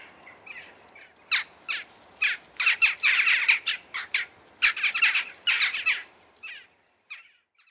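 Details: Western jackdaws (Coloeus monedula) give harsh, clipped 'chak' calls in an irregular burst of about two per second, overlapping as if several birds are calling together.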